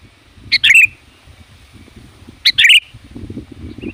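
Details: Loud sooty-headed bulbul calling to lure wild bulbuls: two quick bubbly phrases, each a short clipped note followed by a rolling warble, two seconds apart, with low murmuring background noise.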